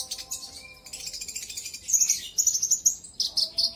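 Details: Olive-backed sunbird (konin, kolibri ninja) lure song to provoke rivals; soft high twittering gives way to a brisk series of bright repeated notes, then buzzy high bursts, over a faint steady low tone.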